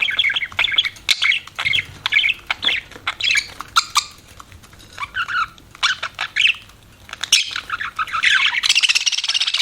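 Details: Budgerigar chirping: bursts of buzzy, clicking chatter and squeaky notes separated by short pauses, ending in a dense, harsh, continuous rasping warble.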